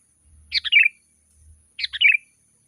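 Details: Sooty-headed bulbul (kutilang) song used to lure wild birds in the forest and as a master song for caged birds: two short bursts of bubbly, chattering notes about a second apart, with faint low rumble between.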